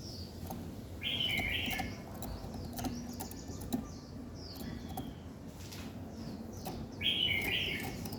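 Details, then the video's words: Morning bird song: two short, loud, bright warbled phrases several seconds apart, separated by faint thin chirps, over a steady low rumble and occasional clicks. "Buổi sáng nghe chim hót chơi"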